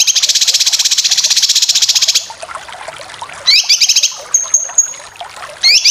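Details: Rapid besetan chattering of cucak kinoy, a full training recording for competition birds; a long, dense, buzzy rattle of even notes gives way to brief rising whistled phrases and a clear, thin held whistle.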